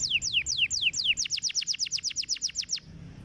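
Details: Singing canary, recorded to encourage other canaries to sing: several slow, falling whistled notes speed up into a fast, even run of about a dozen descending notes, then silence.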